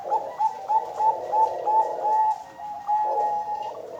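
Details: Female Bangkok zebra dove kept on a breeding farm in Kediri, East Java, Indonesia: quick repeated low coos with lilting upticks, about three per second, then a steadier humming phrase.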